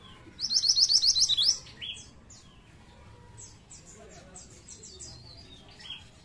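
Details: Lure song of a pied triller opens with a loud, rapid run of repeated high sweeping notes for about a second, followed by quieter, scattered high chirps and short whistles.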